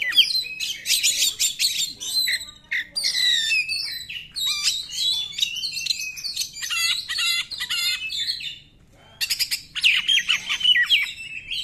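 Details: Long Oriental magpie-robin song used to lure other magpie-robins into singing: continuous tumbling whistles, trills and harsh notes, a short pause near the end, then a renewed rapid burst.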